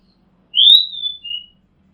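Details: Oriental magpie-robin recorded from a house rooftop: one clear rising whistle that levels off, followed by a lower short whistled note, with silence around it.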